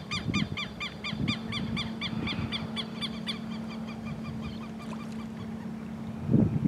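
A Southern lapwing gives a fast, harsh, nasal series of repeated notes, about four a second, that fade out midway; a steady low hum and a few thumps run underneath.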